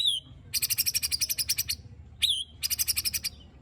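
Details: Murai batu (white-rumped shama) performing 'tembakan' filler song meant to stir other shamas: a clear falling whistle followed by a long, rapid, buzzy rattle, the whistle-and-rattle pattern given twice.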